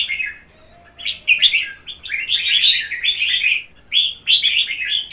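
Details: Red-whiskered Bulbul, caged, one and a half seasons old, leaping actively during fight singing: sustained bright warbling in long bubbly runs, broken by one short pause, with a soft low whistle early on.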